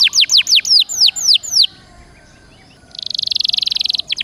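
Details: Canary (Serinus canaria) singing as a master song for caged birds: a string of falling whistled notes, a brief pause with faint background, then a fast, even buzzy trill and quick closing notes.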